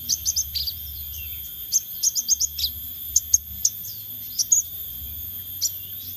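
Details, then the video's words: Scarlet minivet, played as a lure: high thin chirps in quick clusters of two to four, then scattered single notes, over a steady high whine and low hum. "Pancingan Sepah Raja Ekor Merah"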